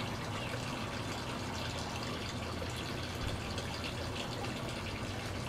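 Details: Steady gushing and trickling water fills the recording, with no animal voice standing out.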